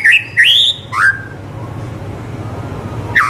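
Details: White-rumped shama song used as tutoring for young birds: three loud, clear whistled slurs in quick succession, a long quiet gap with low hum, then one more slurred whistle.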